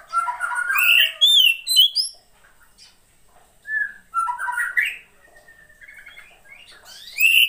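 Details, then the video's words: Female Oriental magpie-robin singing, a recording used to stimulate lazy males to sing: bursts of varied clear whistles and sweet rising and falling notes with quick chirps, separated by short pauses. "SUARA KACER,POCI BETINA,terapi untuk memancing burung jantan yang males bunyi"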